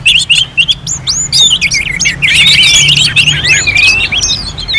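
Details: {'caption': 'Orange-headed thrush in full song, North Bali, arranged like a singing contest: fast tumbling sequence of sharp downslurred and rising whistles, growing denser midway, over a quiet low hum.'}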